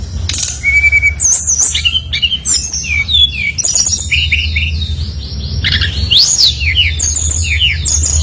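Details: Brown-chested jungle flycatcher in full, lively song, used to lure other birds into singing: a dense, varied run of looping whistles, rapid chirps and downward slurs, almost without a break, over a low hum.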